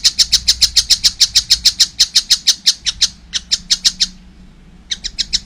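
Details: Quick harsh notes from a juvenile collared kingfisher slow slightly, stop for about a second, then resume in a short burst.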